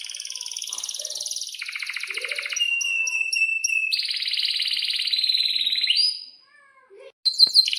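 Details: Singing Atlantic canary, a vocal kenari kept as a model bird for young canaries learning song: long buzzy rolled trills, a row of short high notes, rising slurred notes, brief pause, then bright high phrases resume.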